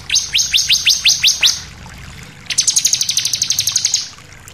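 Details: Bar-winged prinia song used as a lure to stir other birds into singing; about eight sharp, high, steeply falling notes in quick succession, a short pause, then a faster burst of some fifteen clipped, repeated notes over faint background hiss.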